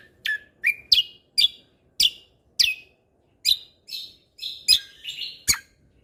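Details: Energetic lesser green leafbird, known locally as cucak kombo, delivering 'mentalan' song for tutoring birds: about a dozen loud, separated downslurred whistles and sharp chirps, each clean and ringing, roughly every half second against quiet background.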